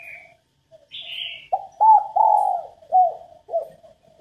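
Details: Female spotted dove cooing to stimulate males to sing: a series of low, soft hooting coos, some rising then falling, about five notes over two and a half seconds, with a faint higher chirp from another bird early on.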